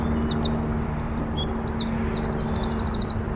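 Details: Eurasian wren in Brighton, UK, singing loud, high, rapid notes and then a fast, even trill of about a dozen notes, many notes packed into a single phrase, over a low background rumble.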